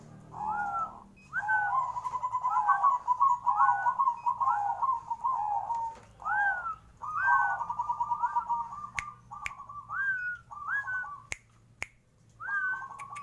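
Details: Zebra dove shown as tame and obedient to its owner. It sings soft, rolling, trilled coos with quick upslurred notes mixed in. The coos are strung into long bubbling runs, with a few sharp clicks at the end.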